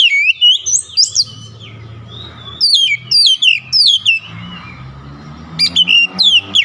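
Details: Oriental magpie-robin unloading its learned fill-in song with vigour: repeated bursts of high, falling whistles and squeaky notes over a steady low mechanical drone.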